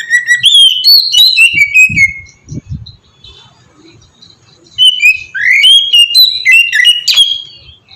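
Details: Melodious ngeplong song of an oriental magpie-robin, played as a lure to bring other birds into full song: two loud phrases of sweet, descending whistles separated by a few seconds of near silence with soft low thuds.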